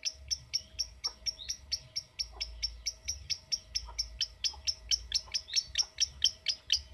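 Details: Lovebird in 'ngetik' mode, producing a steady run of crisp, high ticking notes roughly every half second, sometimes with a slurred chirp between them, over a quiet low hum.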